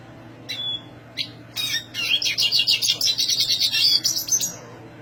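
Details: Spirited high song of a black siskin: scattered chirps, then a sustained fast twitter of bright, buzzy notes pulsing several times a second for about three seconds.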